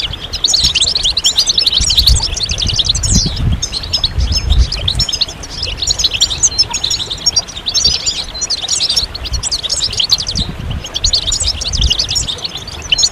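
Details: A chorus of European goldfinches with mating and readiness calls, used to push silent males into singing; rapid, jangling high twitters pour out almost without a break for about thirteen seconds, with some low rumbling.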